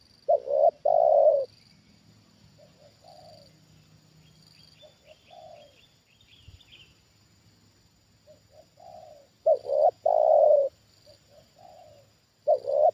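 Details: A trained spotted dove reacts to a wild bird lured down a second time, giving loud coo phrases at the start, middle and end. Many soft, quieter coos fill the gaps, a brief series of thin chirps rises midway, and a high drone persists.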